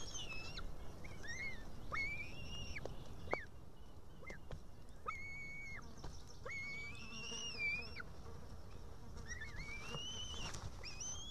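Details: Female white-tailed eaglet in an Estonian nest, 8 June 2018 around dusk, begging to be fed after struggling with a live fish. Repeated whistled cries, some wavering and rising, separated by clicks over a constant low hum.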